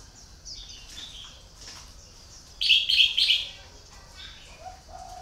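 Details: Red-whiskered bulbul kept as a decoy bird for luring. It gives a loud, bright, rapid warbled phrase of about a second near the middle. Faint chirps come before it, and lower whistled notes from other birds follow toward the end.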